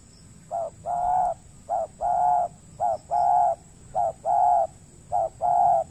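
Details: Wild spotted dove on peatland in Riau Islands, Indonesia, answering a trapping lure and reluctant to fight; repeated two-part cooing, a short coo then a longer hollow coo, about once a second, five phrases.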